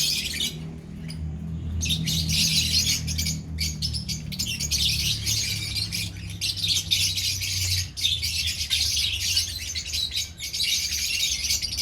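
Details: Lovebirds in a colony give a nonstop wall of sharp, high-pitched squeaks and chirps after a quieter opening second, over a steady low hum that fades out near the eighth second.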